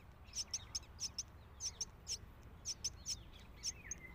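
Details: Myna feeding its loud, hungry chick: sharp, very high chirps come in quick succession, about fourteen in four seconds, some paired, over a faint low background hum.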